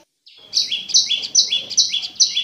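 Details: Prinia called prenjak lumut, singing clearly as a lure for caged birds: after a short quiet start, rhythmic two-part chirps, high buzzy then lower slurred, repeat about every 0.4 seconds.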